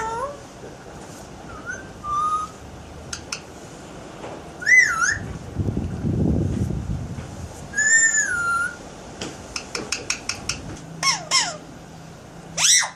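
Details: Alexandrine parakeet kept as a pet, talking and making sound effects: clear whistled notes, looping warbled phrases, a low breathy rush midway, then a quick series of sharp clicks and upward-swooping whistles.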